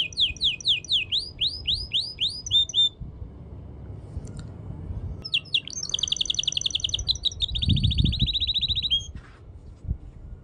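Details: A singing male canary delivers a series of quick upslurred notes, then long, fast, metallic rolls at two pitches, with low background rumble and a brief clatter near the end.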